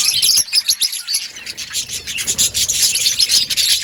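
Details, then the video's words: Budgerigars chirping in an outdoor breeding colony, rapid dense scratchy chatter and squeaky warbles from many birds. "Budgies chirping sounds in outdoor colony"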